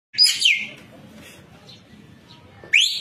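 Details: Training recording of a white-breasted kingfisher in vigorous full song for cage birds: a harsh burst with a quick downward-slurred whistle, a long quiet pause, then another loud burst beginning at the end.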